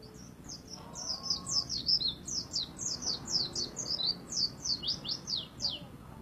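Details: White-eye (pleci) singing actively, gacor style; a rapid, continuous run of high, thin twittering notes, sharply rising and falling, delivered in quick overlapping bursts for the whole stretch, with a faint low background hum.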